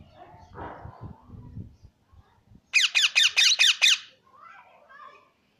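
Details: Plum-headed parakeet producing a rapid burst of six harsh, descending screeches about four per second, preceded by low muffled rustling and followed by faint softer chatter.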